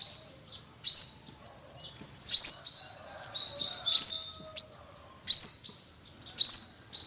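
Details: High-pitched upward-flicking chirps from an olive-backed sunbird, grouped into quick clusters with quiet gaps between them.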